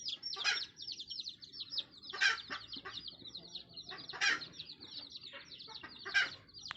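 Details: Jungle hen calling her chicks: strong clucks about every two seconds, with a continuous stream of high, falling chick peeps and faint low background noise.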